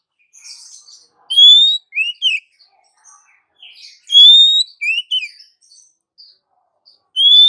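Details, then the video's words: Female Oriental magpie-robin luring a male with her call: a clear rising whistle followed by two short bent notes, repeated about every three seconds with soft chatter between. "SUARA KACER BETINA MEMANGGIL KACER JANTAN"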